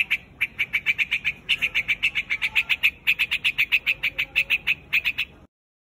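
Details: White-headed quạch mốc calling its flock: a rapid, nearly continuous series of bright, clipped chirps, about four per second, with only a brief break before ending abruptly.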